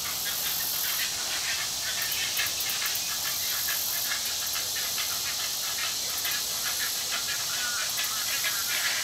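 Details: Sibling great egret fledglings, recently fed, one harassing the other; a long sequence of rapid ticking notes about twice a second, overlaid on a loud continuous hiss.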